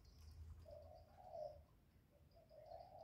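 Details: Spotted dove in the thổ voice, calling to stimulate males: a few soft low coos, one longer drawn-out note in the middle, over a quiet background with faint high chirps.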